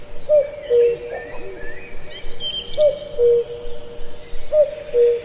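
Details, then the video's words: [['Forest cuckoo at Pallandri, Azad Kashmir, repeating its two-note cu-coo three times, about every two seconds, high note falling to a lower one, while other birds twitter and chirp in the background.']] "Cuckoo Birdsong"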